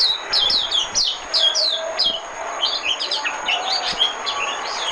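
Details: Oriental white-eye decoy song used for trapping: an opening flurry of sharp, high, falling chirps, then a denser, softer jumble of twittering notes at varied pitches running to the end.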